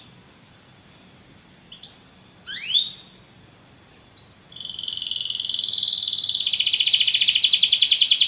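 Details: Belgian canary singing to train other canaries: a few seconds of near quiet with brief high whistles and rising slurred notes, then a loud, dense, fast buzzy trill that swells and holds to the end.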